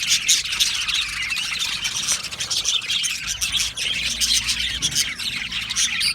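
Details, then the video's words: Many budgies in an aviary colony chirp and squeak at once, sharp clicks and rapid tweets layered into a busy, unbroken high chatter. "Australian Budgie bird colony sound | Budgie natural sound | Budgie parrot chirping sounds"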